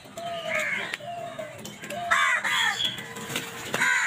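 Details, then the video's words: Crows fighting over food, giving harsh, nasal caws that arch downward, several overlapping in a noisy chorus, with one lower drawn-out call among them. "Crows violent attack on food | Beautiful crow sounds"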